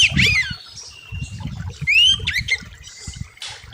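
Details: Oriental magpie-robin singing for a bird-training master recording: a few clear whistled slurs, one rising sharply, mixed with short harsh notes over low thumping and rustling noise.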